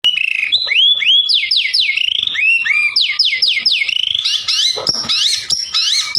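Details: White-rumped shama song meant to provoke rivals: loud, clear whistled phrases of repeated downward-curving and rising sweeps in quick series, then harsher buzzy notes near the end, with a quiet background.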